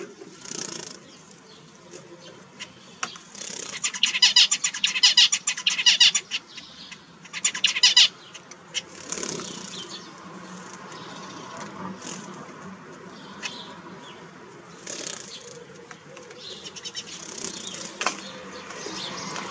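Zebra finch song: a quick burst of buzzy, nasal notes and rasping stacked tones, then soft scattered chirps.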